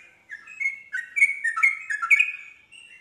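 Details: Yellow-vented bulbul pouring out a dense, rapid babble of liquid chirps and slurred whistles to draw out other bulbuls, loud and continuous for over two seconds, then tailing into one soft note.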